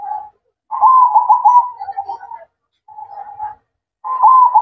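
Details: Zebra dove (perkutut) in manggung song at night: rolling, bubbling coo phrases with quick trilled notes. A softer, lower phrase follows after a pause, then a louder phrase begins again.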